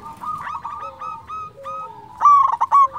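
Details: Local zebra dove song meant to stimulate breeding drive and draw answers from rivals: quiet chorus of other doves cooing, then a loud rapid rolling trill in the final second.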